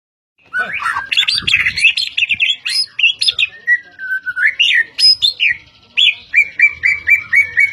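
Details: White-rumped shama of the Medan type, described as a fighter type, singing loudly: a dense tumble of varied whistles and chattering notes, a long slurred falling phrase, then a rapid run of repeated sharp whistled notes at the end.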